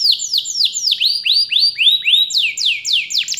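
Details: Collection-kept canary delivering a fast series of sweeping, falling whistles, about four a second, shifting to a higher repeated note near the end, with a quiet, clean background.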